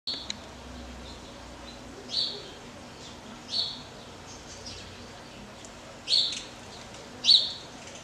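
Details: Unidentified bird singing, said to be calling for its mate; brief high chirped notes spaced a second or more apart over a quiet, faintly noisy background.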